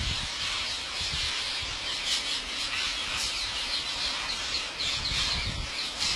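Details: Masses of wild parrots gathered to be fed at a farmer's house in India, screeching together in a continuous high-pitched chattering chorus, with some low background rumble.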